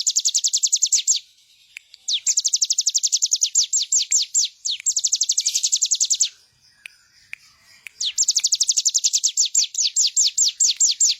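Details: Bar-winged prinia singing for training other birds: several long runs of rapid, high downslurred notes, each phrase lasting one to two seconds, separated by short quiet gaps.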